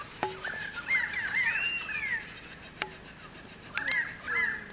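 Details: Kookaburras squabbling over a lizard at Carnarvon Gorge, Australia: arched, chuckling cackles sweeping up and down, broken by sharp knocking clicks, with a steady high insect-like hiss in the background.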